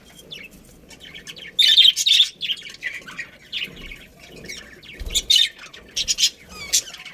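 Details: Budgerigars in a breeding colony, a pair among them, chirping: bursts of high, scratchy, warbled chirps and squawks in quick clusters with short gaps, several birds overlapping.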